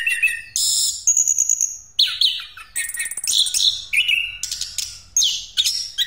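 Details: A rolling pastol song from an orange-headed thrush, used as a lure for other birds: loud, varied high whistles, long buzzy notes and rapid trills delivered in fast, nearly unbroken phrases.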